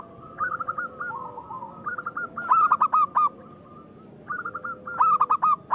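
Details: Song of a local zebra dove, meant to stir rival doves into calling: quick trilled phrases followed by bursts of five or six sharp, ringing coo notes, separated by brief pauses and a faint drawn-out tone.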